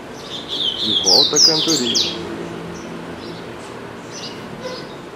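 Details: Caged double-collared seedeater singing at home: a short burst of bright, clear whistles and sweeping slurred notes over a second, with a man speaking softly at the same time, then fading into steady background hiss.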